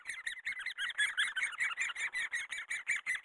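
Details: Great spotted woodpecker during the raising of its young: harsh, noisy chattering notes repeated rapidly, about two to three per second, in pulsing bursts with short gaps between them and no other clear sounds.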